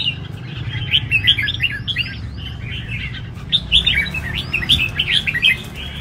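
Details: Red-whiskered bulbul in competition at a major singing arena: repeated bursts of quick, sweet, warbling whistles with arched, slurred notes, grouped in clusters with short gaps, against steady low background hum.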